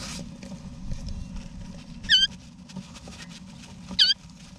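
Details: Wild backyard eastern rosellas, mother and father with chicks inside a nesting box in Australia, November 2018; two single high, harmonic, hooked notes about two seconds apart against a steady low background hum.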